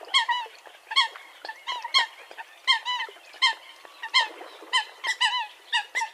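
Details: Eurasian coot giving loud, nasal honking calls in quick, irregular succession, with several overlapping voices and roughly eighty calls a minute; each note is short and bright, some ending with a slight upward or downward bend.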